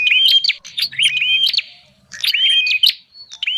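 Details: Wild-bird lure of a bar-winged prinia: quick wavering whistles mixed with dry clicks in two dense bursts, separated by a fading pause.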